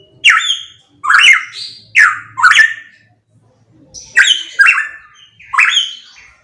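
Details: Pitohui song used as a training recording: loud, strident phrases of rising and falling whistled notes with harsh overtones, in pairs and triplets separated by short pauses, clear and without background noise.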